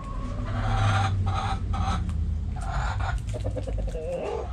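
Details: Backyard chickens, hens and roosters, in a chicken coop: a run of harsh, harmonic clucks over the first few seconds, then scattered shorter notes, all over a steady low mechanical hum.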